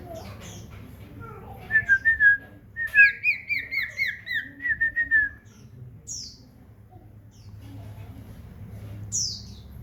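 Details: Common iora, kept as a house bird, singing actively: a run of about eight clear, quick, slurred whistled notes at a steady pitch, preceded by a short whistled phrase and followed by brief high squeaks, over a low background hum.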